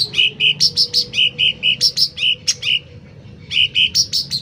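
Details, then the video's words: Sooty-headed bulbul in full, loud song: a brisk run of short, bright chirped notes alternating between a lower and a higher pitch, delivered in quick even bursts with a brief pause near the end. "Suara Cucak Ranting Gacor Volume Keras"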